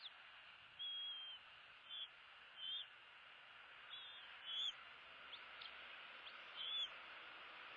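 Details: Bald eagle eaglets at the nest during feeding, one eating while the other bites its sibling's tail: thin, high whistled chirps, short and slightly rising, repeated irregularly about every second over a steady hiss.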